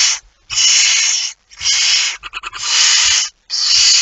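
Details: Barn owl with a mouse, recorded 17 September 2019 at 01:49: loud breathy hissing bursts about a second long, four main rasps with a quick stuttering run of short hisses between them.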